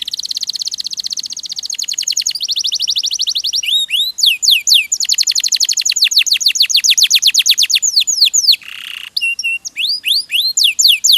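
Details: Canary (kenari) song used as a training recording for songbirds: long fast trills of repeated descending notes at high pitch, broken by rising whistled slurs and a brief harsh buzz near the end.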